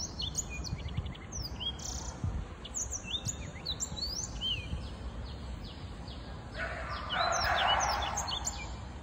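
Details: Black-throated canary, a six-month-old young bird, singing: thin, high whistled slurs and quick tinkling notes in a varied stream, over constant low rumbling noise, with a louder rushing burst near the end.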